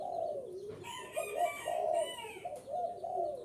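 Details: {'caption': 'Spotted dove calls played to lure and excite wild doves: a run of low, throaty coos with slight rises and falls, overlapped by a thin, higher twittering from another bird in the middle of the clip.'}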